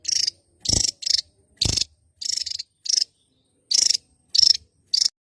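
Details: Javan Tesia, a bird endemic to Java, giving short, very high, hissing-sibilant bursts, about nine in five seconds at an uneven pace, with a couple of dull thumps underneath.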